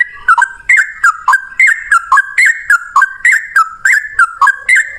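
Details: Yellow-vented bulbul singing actively in rapid 'ropel' style, one long breath, loud like a straw-headed bulbul: steady string of short whistled notes dipping and rising, about three per second, each with a sharp click above.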